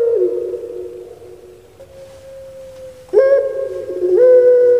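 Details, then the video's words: Caged puter pelung turtle dove from Java, Indonesia: a sustained low coo fades away, then a fresh deep, humming note bursts in and is held steady, stepping up slightly near the end. "Puter Pulung Suara Gemanya Bikin Lupa Diri"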